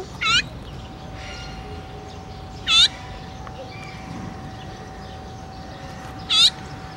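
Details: Azure-winged magpie complaining on 17 July 2017, giving three drawn-out, mewing calls that rise and fall, spaced about three seconds apart, over a faint steady hum.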